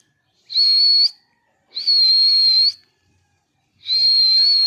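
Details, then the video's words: Angry parrot making three long, steady, high-pitched whistles, each lasting about a second, separated by short silences. "Cute Parrot Natural Sounds!! cute Mitthu Angry Voice"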